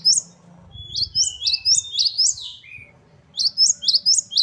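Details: Great tit singing the varied gacor song known as gelatik batu: a burst of five or six sharp rising high notes, a pause, then another quick run of similar chirps, faint low noise behind.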